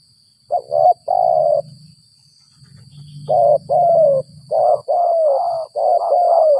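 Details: Several stuttering coo phrases from a spotted dove trapped after rain and known as a gagap 6 mata singer, some short clipped hoots and some longer falling coos in uneven bursts, over a low murmur of voices.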